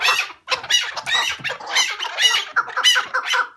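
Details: Partridge, possibly hunted and later released back to the wild, giving harsh, raspy squawking notes in rapid, irregular bursts, about one per second, with broad noisy energy.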